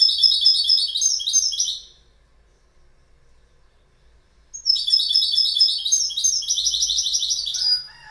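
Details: Goldfinch singing: two bursts of rapid, tinkling, twittering notes, high and bright, separated by a quiet pause of about two and a half seconds, the second phrase longer and ending in fainter chirps.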